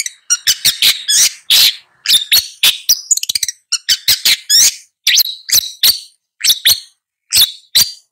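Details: Song of a long-tailed shrike: grating, broadband chattering notes in short groups, with a fast run of ticking notes midway and brief pauses between phrases.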